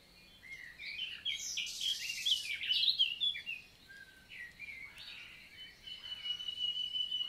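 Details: Morning song of a common nightingale in forest of the Célé valley, Lot, France, in June 2023. Bubbling chirps, a dense buzzy burst and quick warbles give way to a long, thin, steady whistle near the end.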